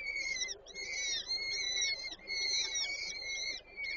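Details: Peregrine falcon chicks at a nest in Żerań, Warsaw, on 8 May 2023, while the female feeds them. They give high, thin, arched squealing notes in quick bursts, about three bursts with short pauses between them.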